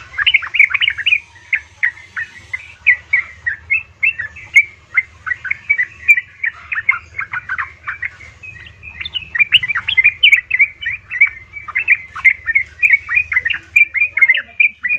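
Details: Yellow-vented bulbul female calling to a male, used to make caged males sing: long continuous stream of bubbly chirps and slurred notes, livelier toward the end, over a constant low hum.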